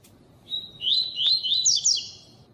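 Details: Coleiro giving one continuous tui tui phrase: a thin high whistle that turns into a rapid string of rising, sweeping notes ending in a higher flourish. Recorded for training and pairing with a female.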